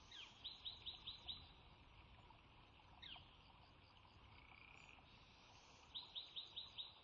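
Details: At the Sauces bald eagle nest, March 3 2017, the female lays her second clutch's first egg; two bursts of five high piping chirps, separated by a single down-slurred note, against a constant low hiss.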